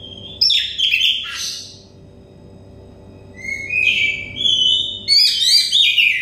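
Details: Oriental magpie-robin, untrained and stressed, singing as therapy for open, loud song: a harsh, jumbled opening phrase, a pause, then long sweeping whistles and twittering notes over a low hum.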